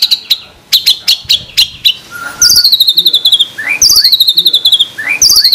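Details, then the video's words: Murai batu, the white-rumped shama, in lively 'tembakan' song: a run of sharp spaced chips, then a fast rattling trill, alternating with rising whistled notes about every one and a half seconds. "Masteran MP3 Murai Batu Gacor Full Isian Tembakan Mewah"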